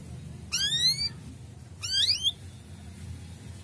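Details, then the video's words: A male canary's cuit-cuit call, meant to bring young canaries into breeding condition: two bright upward-sweeping chirps a little over a second apart, then quiet apart from faint room noise. "Suara cuit cuit kenari jantan,effektive naikan birahi kenari muda"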